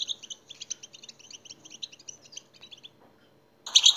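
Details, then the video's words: European goldfinch song used to encourage other goldfinches to sing, a rapid series of high, thin twittering notes fading out, then a sudden loud, dense burst of song. "en iyi saka huylandırma sesleri birleşimi"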